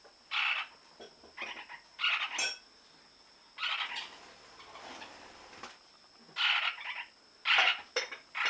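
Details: Lineolated parakeet calling in breeding season: short bursts of raspy, mid-to-high chattering notes about every second or two, separated by brief quiet gaps, with fainter murmuring between the louder bursts.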